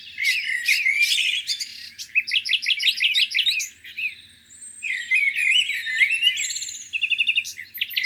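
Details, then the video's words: Birds singing by a lake on a spring morning: several overlapping voices with bright chirps, rapid trills and whistled phrases, dense and continuous. "Singing birds, beautiful lake view on a spring morning."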